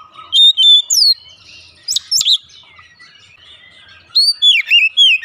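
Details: Oriental magpie-robin song used as a lure to get birds singing: clean, sweet whistles and sharp slurred notes in short groups with quiet gaps between, closing with a lively cluster of looping whistles.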